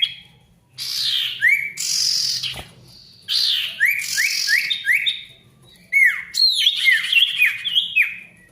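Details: Ashy tailorbird, a male, singing loudly and continuously, used to make mute tailorbirds sing again: fast series of bright, falling whistled notes in dense phrases, broken by harsh hissy bursts and a sharp click.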